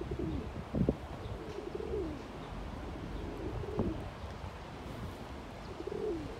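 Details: Male pigeon, neck feathers bristling, dancing in courtship and warding rivals off his patch, utters arched, throaty coos rising then falling, several in a row with sharp clicks between, against a low background rumble.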